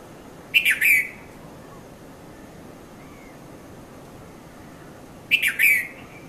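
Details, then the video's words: Red-vented bulbul calling in the morning, 5:30–5:40 a.m., Mount Lavinia, Sri Lanka, Nikon Coolpix P510: two rapid three-note chirping phrases about five seconds apart, with a faint soft note between and quiet hiss behind. "Red-vented Bulbul Bird Voice | Sounds of Bulbul | Morning"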